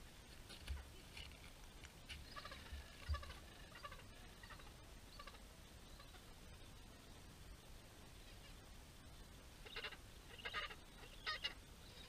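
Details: Gentoo penguins, in large numbers at Orne Harbor, give hoarse, bleating brays in a few short bursts, early and again near the end, over a steady rush of wind.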